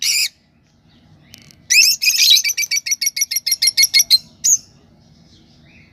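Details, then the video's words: Lovebird chirping: a harsh chirp, then a rapid series of about fifteen short, high, buzzy chirps, followed by a single high squeak in a quiet room. "love birds voice message sounds chirping sound"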